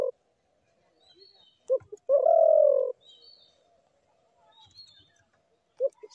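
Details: Spotted dove uttering a few short soft notes and one drawn-out mellow coo, separated by long quiet gaps with faint background murmur.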